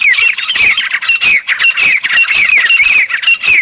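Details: Grey francolin in the jungle calling without pause: a dense, loud stream of harsh, shrill, grating notes with whistled peaks, rising and falling in rapid succession.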